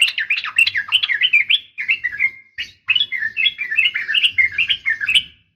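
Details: Female sooty-headed bulbul giving an uplik tarung (fighting) call to provoke males to answer: a rapid, chattering run of bright, twisting notes that breaks briefly midway and then resumes.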